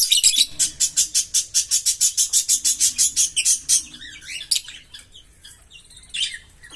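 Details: Green Fischer's lovebird pair, kept birds, singing a long song: a fast run of about twenty sharp, rapid chattering notes, then twisting buzzy warbles and squeaks.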